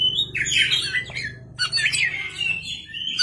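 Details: Oriental magpie-robin at night singing in two bursts of harsh, scratchy warbles and whistles, partly masked by a steady loud low hum.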